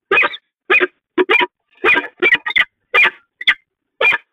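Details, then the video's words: Bonding peregrine falcon pair at the Catharinakerk, 19 October 2020: loud rasping chup notes, some doubled or tripled, spaced irregularly about half a second apart, with nothing else audible. "Slechtvalken Catharinakerk, Bonding"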